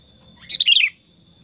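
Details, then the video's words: Tame pet sooty-headed bulbul gives one short, bubbly phrase of four or five quick, liquid whistled notes that tumble downward, lasting about half a second, against a faint constant high-pitched hum. "Kutilang Super Gacor Suara Alami Hutan"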